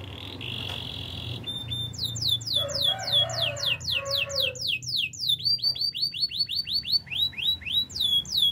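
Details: Training song of a canary: a brief buzzy note, then long series of crisp descending whistles repeated several per second, with a low warbled passage in the middle and faint hum underneath.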